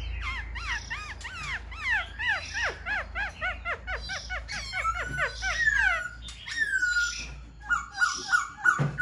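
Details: Caged Black-throated laughingthrush displaying with fanned tail and raised wings, pouring out a long series of rapid arched whistles, then sustained clear whistled notes and short repeated phrases toward the end.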